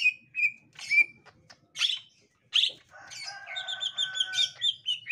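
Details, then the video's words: Green leafbird of the gotri type reacting on meeting a young wild green leafbird: scattered whistled notes and short buzzy bursts, then a denser run of bright chirps toward the end, with faint low hum behind. "Tingkah Cucak Ijo Gotri Saat Di Temukan Cucak Ijo Muda Hutan"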